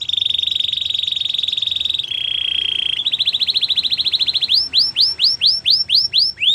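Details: Belgian canary song opening with a sustained rolling trill, dropping to a lower buzzy roll, then a pulsing series of notes that slows into loud separate upswept whistles.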